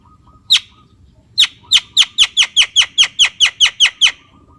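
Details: Javan myna giving a rapid string of harsh, chattering notes, about a dozen in under three seconds after one opening note, with a thin steady tone faintly in the background.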